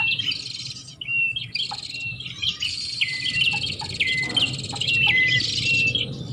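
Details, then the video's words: Lure sound of the Bar-winged prinia, known locally as prenjak, used to draw birds in; harsh buzzy chattering phrases with brief falling whistles, closely packed, faint low hum behind. "Suara Pikat Burung Prenjak"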